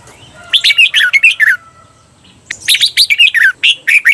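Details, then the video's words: Training song for caged red-whiskered bulbuls in Thailand, 'bermle' doubled style: two dense runs of rich, fluty slurred notes, the second longer and more varied, divided by a brief lull. "เสียงฝึกเบิ้ล นกกรงหัวจุก เปิดสอนเบิ้ลยาวๆ เบิ้ลได้แน่นอน"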